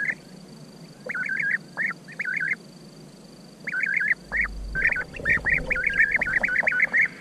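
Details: Rolling, burry trilled calls of European bee-eaters in scattered bursts, a quiet gap of a couple of seconds, then denser overlapping calling from several birds, with some low rumbling in the background.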